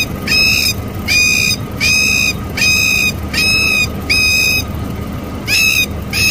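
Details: A panicking plover gives harsh, buzzy, high alarm notes, about one per second, each a short grating burst, over a faint steady background whine.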